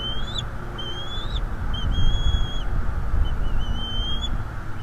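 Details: Father bald eagle attacking an intruder at its nest in northeast Florida, picked up by a livestream camera: a run of short high whistles and longer level whistled notes in quick succession, with rumbling low noise underneath.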